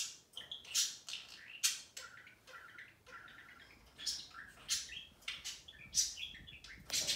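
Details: Indoor budgerigar pair in a lively exchange: rapid scratchy warbling broken by bright, piercing chirps roughly every second, with a stretch of softer burbling notes in the middle.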